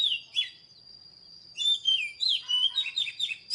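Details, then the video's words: Oriental magpie-robin giving a few whistled notes, a brief pause with a thin steady tone, then a lively burst of chirps and swooping whistles. "เสียงนกกางเขนบ้านหรือนกบินหลาขี้ควายใต้ Chòe than HÓT MÚA ĐẲNG CẤP || THÚC CHÒE THAN BỔI HÓT"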